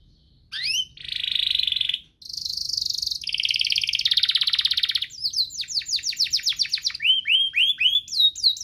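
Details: Canary singing in a compilation meant to prompt other canaries to sing: a short rising note, long buzzy trills, then fast series of sweeping downslurred notes and upturned chips.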